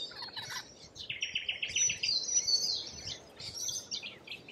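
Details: Lorikeets, Australia: rapid pulsed buzzy screeching in short bursts, followed by high thin whistles and further harsh chattering from several birds calling over one another.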